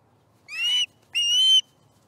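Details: Osprey at a nest in Charlo on 18 September 2019, at breakfast time when fish is brought: two loud, clear whistled calls, each about a third of a second, slightly rising, with a quiet background.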